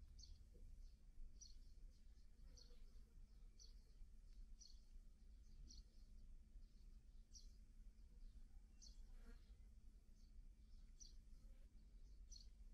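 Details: Sparrow fledglings just out of the nest, fed by their parents: thin, high chirps repeated roughly every second, faint over a steady low rumble and hum.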